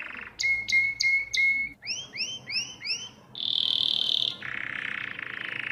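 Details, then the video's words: Domestic canary song from a recording used to teach young birds to sing: a varied run of phrases, first repeated hooked notes, then quick rising-falling arcs, then a dense rolling trill, and a lower buzzy roll to finish. "اسطوانة تغريد الكناري الاصلي لتعليم الفراخ Chant Canari"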